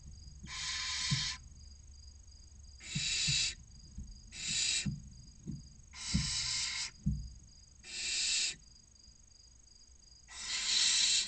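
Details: Hungry barn owl nestlings in a nest box, Cabañeros National Park, Spain, utter six fairly quiet, breathy screeches, each under a second, with occasional soft knocks between.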